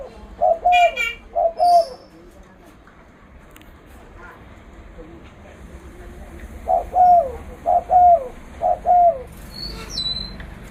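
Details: Loud-voiced spotted dove kept as a trapping lure gives two coo phrases, falls silent for several seconds, then delivers three more evenly spaced two-part coos over low background noise.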